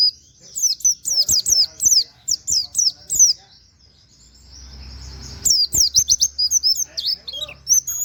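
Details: Plain flowerpecker, a bird used for training others, sings nembak with canary-like wit wit phrases. Rapid strings of thin, high chirps sweep up and down in two long bursts around a quiet gap with soft low rumble.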